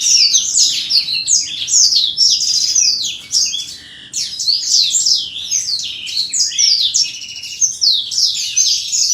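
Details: Black-throated canary during pairing of a male and female kept caged: fast, high, twittering warble of chirps and short trills, delivered in long continuous phrases with a brief pause near the middle.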